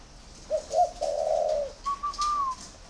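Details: Spotted dove from a breeding garden in Ba Vì, Hanoi, Vietnam, cooing on after a person urges it to keep cooing: a low, hollow, drawn-out coo followed by a higher, steady, slightly falling whistled note.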